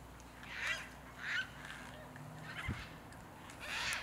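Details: Roughly fifty wild Yellow-tailed Black Cockatoos feed by cracking open walnuts in a walnut grove in Northern Tasmania, Australia, in mid winter; a few faint, harsh, drawn-out calls rise out of steady background noise. Recorded with a Canon 5D Mark IV.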